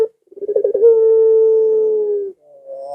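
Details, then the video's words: Barbary dove coo, played so that pet doves kept at home answer. A quick rolling burst leads into a long, even, hollow tone held for about a second and a half, then a new hum begins. "Suara Burung Puter Ini Memikat Puter Anda Dirumah Sehingga Ikut Bunyi"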